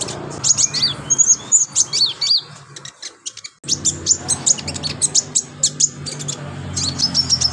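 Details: Olive-backed sunbird singing lively and nonstop, a master recording for tutoring other birds: rapid high thin whistles and sharp downslurred chirps in quick bursts, a brief pause, then dense clicking tweets, with faint room hum beneath.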